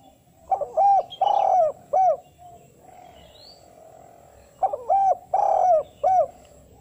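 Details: Spotted dove calling to lure wild doves, in a female-calling style: two repeated phrases of soft, low coos, each with short notes around one long drawn coo, separated by about three seconds with faint high chirps from other birds.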